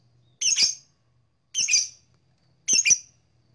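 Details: Blue black-masked lovebird giving three loud, grating double-noted squawks spaced a little over a second apart, over a faint low hum.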